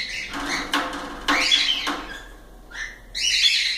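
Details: Pet cockatiels calling with harsh, buzzy chirps over a background rustle, then after a short lull a clear rising whistle followed by a longer warbled note.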